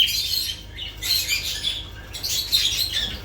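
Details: Lovebirds chattering in a dense, high, shrill stream of squeaky, rasping notes, nearly continuous with brief dips between bursts.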